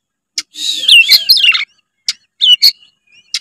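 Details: White-rumped shama singing to coax a lazy juvenile into song: a short burst of rich warbled and buzzy notes followed by isolated sharp clicks and a brief whistle.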